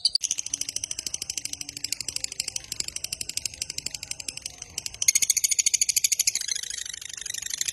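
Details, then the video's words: Long 'ngekek' trill of a lovebird, played to provoke other lovebirds into singing. Dense, high, scratchy notes repeat about three times a second throughout, growing louder and harsher after five seconds. "Suara MASTERAN Burung LOVEBIRD Ngekek Panjang"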